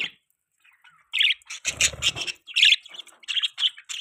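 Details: Budgerigar chirping as a pet bird: a string of short, scratchy, warbled chirps, some louder squawky notes, with a brief low rumble of handling noise in the middle.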